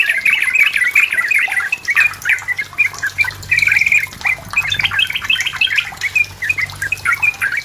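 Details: Yellow-vented bulbul in vigorous lure song meant to pressure a rival. Dense chattering, gurgled notes with a brief buzzy trill midway and a low hum beneath.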